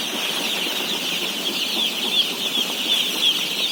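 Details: Many day-old chicken chicks at feeding, flock of 17,000: unbroken shrill cheeping from the crowd, with some clearer individual peeps standing out as short falling notes.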